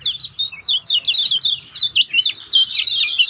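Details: Lemon-bellied white-eye song aimed at prompting a silent bird to sing: lively, nonstop chain of high chirps and twisting whistled slurs, evenly loud throughout.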